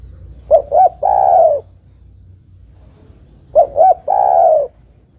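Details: Calling female zebra dove, used to draw a quiet male into song: two matching phrases about three seconds apart, each with two quick rising notes and a long soft coo.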